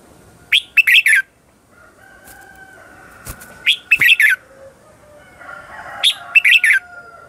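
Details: Red-whiskered bulbul singing as a lure bird in "ché chéc" contest style to call wild birds; three bursts of rapid, sharp chirping notes, spaced apart, with a faint steady whistle-like tone and light background noise.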